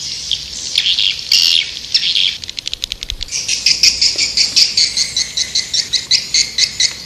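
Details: Swiftlet lure call used to draw birds in: shrill, buzzy twittering at first, then a long series of evenly spaced high chirping pulses, about three per second, with clicking in between.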